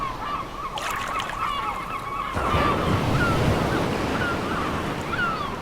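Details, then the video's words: Gull at a beach with crashing waves: a long, steady, nasal note holds for about two seconds, then a few short, sharp, falling cries follow over loud surf. "Beach Waves Crashing Seagulls Ambience Sound Effect"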